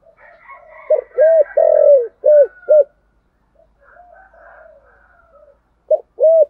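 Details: Spotted dove cooing in the 'giọng thổ' style with a double-ended call: a low, rounded phrase of stacked coos, one drawn out, then a pause and a fresh start; thin distant whistles and chatter underneath.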